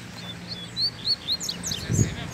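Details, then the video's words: Double-collared seedeater singing outdoors in the bush: a series of short, clear, high whistled notes, some rising and some slurred, given in quick succession over a faint low hum, with a brief knock near the end. "Coleiro Braddock Solta o Canto no Mato!!! Coleiro Altas Horas Batendo Firme!!!"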